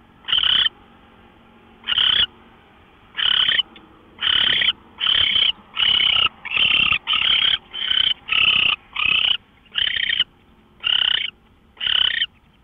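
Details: Owl calling before dawn, 5:27 AM, March 24, 2013: a long run of about fifteen rasping, hissy screeches that start spaced and quicken to nearly back-to-back bursts, then slow again; faint hum throughout.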